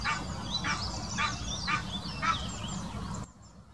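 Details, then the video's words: Mating call of an Egyptian goose, Wittlicher Senke, 2018: a run of five rasping honks roughly every half second, ending abruptly, over steady low rumble and faint high twittering of other birds. "Der Paarungsruf des Nilgans"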